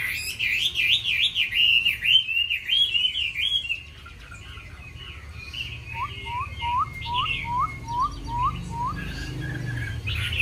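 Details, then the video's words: Caged Chinese hwamei praised for singing many wild-style voices: loud, fast warbled whistles that wobble up and down, then a pause and a series of about eight short upslurred notes, ending with a bright whistle. "Mi hót hay đẹp cb8864c nhiều giọng rừng hay mau mỏ"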